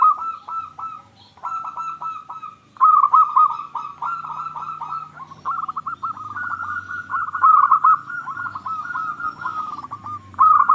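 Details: Local zebra dove singing vigorously as a lure for other zebra doves: long, nearly continuous strings of quick trilled coos rising and falling in loudness, with faint low hum beneath.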